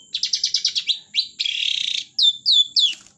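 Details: Long-tailed shrike in full song: a rapid run of seven scratchy notes, a sustained grating buzz, then three descending whistled slurs, all high-pitched, with a thin steady whine in the background.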